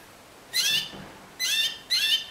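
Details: Timbrado canary in the discontinuous song style: three short bright bursts of chirpy, harmonic notes, separated by pauses of roughly half a second to a second, with no other sounds.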